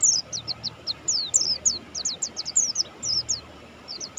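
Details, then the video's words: Mountain white-eye of the Buxtoni type in vigorous song, giving quick high slurred chirps in small clusters of two or three, with a low hum underneath. "suara burung pleci Buxtoni gacor"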